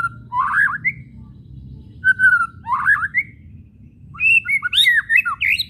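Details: White-rumped shama whistling and chattering, a kretekan meant to provoke shamas into singing; short swooping whistles and quick buzzy chatter in separate bursts, with a low background hum.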